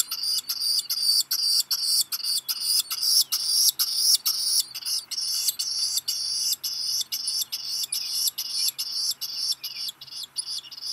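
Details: Shrill, high-pitched peeps repeated roughly twice a second in a steady run from a black guillemot chick at Seal Island National Wildlife Refuge, Maine, USA, midday 13 July 2021, as a parent arrives with rock gunnel; the chick is two weeks old.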